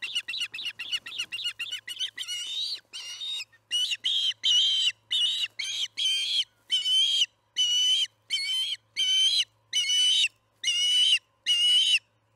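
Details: Osprey at the Charlo nest, evening feeding, July 9, 2019, 6 pm MDT. A quick stutter of short chirps opens the sequence, then slows into longer, drawn-out whistled squeals spaced about a second apart.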